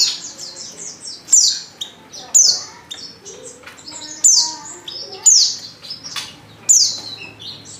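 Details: White-eye female in breeding condition calls for a male. Thin, high, downward-sweeping chirps come in bursts about once a second, with faint lower twitters and quiet background between them.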